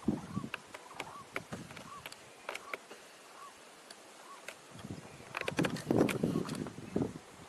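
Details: Blue-eyed ground dove feeding in Minas Gerais, Brazil: soft, short arched hooting notes repeated about every 0.7 seconds, with sharp clicks, rustling and low thumps around, and a louder burst of handling noise near the end.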